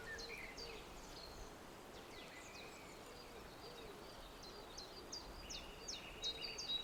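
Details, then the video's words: Wild birds singing at sunrise on the shore of Mavrovo Lake, Macedonia: faint, thin high chirps and short downslurred notes from several birds, with soft lower repeated notes beneath and a steady background hiss. "Sunrise with Birds Singing on the Mavrovo Lakeshore"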